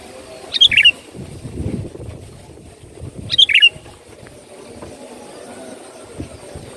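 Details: Sooty-headed bulbul lure song, played to attract birds: two short bubbly phrases, about three seconds apart, each a quick high chirp dropping into a twangy note. Low hum underneath.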